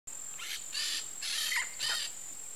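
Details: A courting pair of Peach-fronted Parakeets at Parque das Nações Indígenas, Campo Grande, Mato Grosso do Sul, Brazil, gives four harsh, grating screech bursts over a steady high insect whine.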